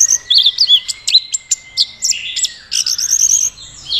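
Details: Caged orange-headed thrush from Mojokerto performing teler, a courtship display, with handling by a young jockey: rapid, varied high chirps and slurred whistles in quick bursts over a steady, thin, high background tone.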